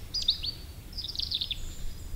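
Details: In a forest on a spring-like morning, a European robin sings two short, thin, high warbling phrases, liquid and slightly melancholic, over faint low background hum.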